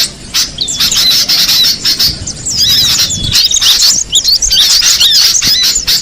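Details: Cinereous tit in the wild: rapid high squeaky chirps and twitters, many notes overlapping in a busy stream, with a short quieter gap near the start and steady background hiss.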